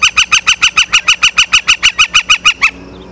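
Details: Osprey at a nest in Charlo, Montana, recorded by a live nest camera on 9 September 2023 at 18:51. It gives a rapid, loud series of about fifteen sharp, whistled chirps in under three seconds, evenly spaced, then stops abruptly.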